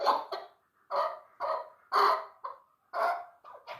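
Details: Chukar partridge, a three-year-old hunting bird called a 'dulan' chukar, uttering coarse, broad clucks roughly once a second with short pauses between them.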